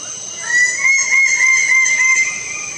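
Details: Lesser bird-of-paradise uttering one long, drawn-out, loud, slightly rising call lasting about two seconds, against a steady shrill insect chorus.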